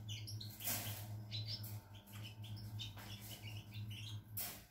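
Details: European goldfinch recorded 16 September 2020 singing a quick, tinkling run of twittering notes and liquid trills over a steady low mechanical hum.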